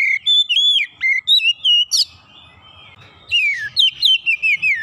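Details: Oriental magpie-robin (kacer) that had stopped singing, now singing energetically (gacor) after being lured once: loud, sweet whistled phrases with rising and falling slurs and sharp chips, two bursts separated by a quiet second; faint low hum beneath.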